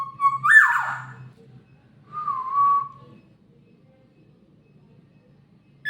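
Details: Black-naped oriole giving a rich, fluty whistle that swoops up and then drops, followed after a pause by a shorter, softer mellow whistle. A faint low hum runs underneath.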